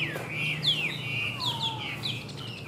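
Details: Varied melodious phrases from a caged Chinese hwamei: clear whistles with steep downward slurs, one long lower descending note, and quick high flourishes, over faint low rumble.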